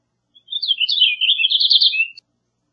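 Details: A single purple finch song phrase, under two seconds long: a rapid, rich warble of looping notes that rise and fall, ending in a lower slurred note. Quiet background.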